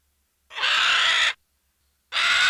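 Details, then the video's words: Vulture squawks: a hoarse, hissing-edged burst of almost a second, then a pause and a second similar rasping call starting; clean silent background. "VULTURE VOICE | BIRD OF PREY | SCAVENGERS | CARRION | EXTANT SPECIES | CATHARIDAE |SQUAWKS|"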